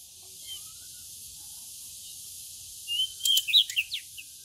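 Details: A captive pied bushchat set out in the sun to encourage singing gives a brief, bright burst of high, scratchy whistled notes near the end, over a steady background hiss.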